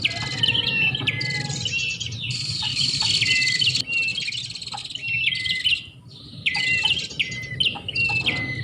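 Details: Bar-winged prinia (prenjak) lure sound used to attract birds: dense bursts of buzzy, rattling chirps with sharp notes sliding down, repeated in overlapping phrases over a low background hum.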